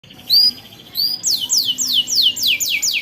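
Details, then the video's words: Long-singing canary, in a tutor recording used to prompt young canaries to learn their song: two short high upward whistles, then a run of about eight quick descending swept notes, each fairly loud and evenly spaced. "KENARI GACOR PANJANG Ngerol Panjang untuk Pancingan Kenari Paud Belajar Bunyi"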